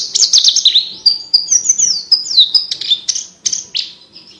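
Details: A Javan bush lark sings a continuous stream of shrill whistled phrases, quick zigzagging notes and short swoops, rich and varied. The song serves as tutoring material for competition birds.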